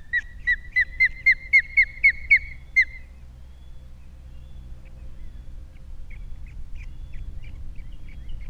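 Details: Osprey at its nest on Captiva with three young, 21 February 2022, giving a loud series of about ten clear, downslurred whistled chirps in three seconds, then fainter distant chirps over a low steady hum.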